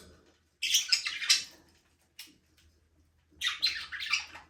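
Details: Budgerigars in a small aviary give two dense bursts of rapid, rasping chirps and squeaks, separated by a brief quiet spell with one short call.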